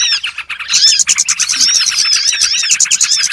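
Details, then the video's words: Bird-trapping lure sound of small birds (burcil): a quieter opening swells into loud, crowded high chirping, with quick squeaky notes and short curved whistles overlapping from several birds. "SUARA PIKAT BURUNG BURCIL"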